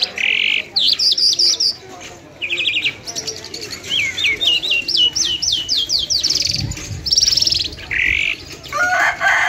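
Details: Lunda lark in Mashadi style delivering a dense, high song of quick chirped bursts, rattling runs and short buzzy notes in close succession, over a faint low rumble.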